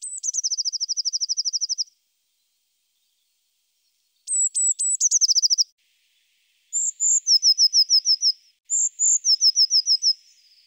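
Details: A Eurasian blue tit, a Russian forest bird, sings four high, thin phrases, each one or two sharp introductory notes running into a fast, slightly falling trill, with quiet gaps between.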